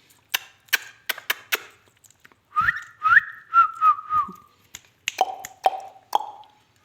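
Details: Rose-ringed parakeet, called a ringneck, whistling a few rising notes and then a level, wavering tone. Sharp clicks come before it, and shorter falling calls follow.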